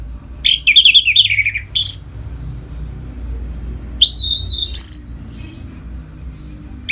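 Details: Orange-headed thrush in loud ngeplong song, meant to rouse other birds into breeding condition: a warbled run dropping in pitch, a sharp high note, then after a pause a wavering whistled phrase and another sharp note, with steady background hiss.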